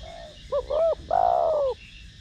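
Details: Spotted dove in the 'thổ đồng' voice style, cooing to stimulate decoy doves: two short hooked notes, then a long loud coo that slides gently downward, over a quiet hum.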